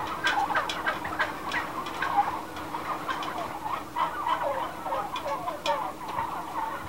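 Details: Many domestic turkeys kept inside a growing house, a dense overlapping chorus of gobbling and clucking calls, rough bursts crowding one another almost continuously with no clear gaps, over a steady low mechanical hum.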